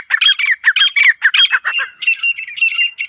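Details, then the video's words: Wild female partridge giving its natural call: harsh, squawking bursts repeated in quick succession, about two per second, the later notes slightly smoother and more even, with no other clear sounds. "جنگلی تیتر کی اصل آواز | مادہ تیتر کی قدرتی پکار"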